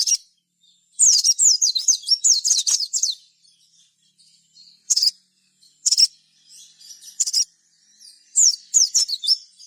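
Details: Gacor sogon song used to draw other sogon into singing: a fast run of high, wavering, sliding whistles, then spaced sharp chirps, then another quick trilled burst near the end.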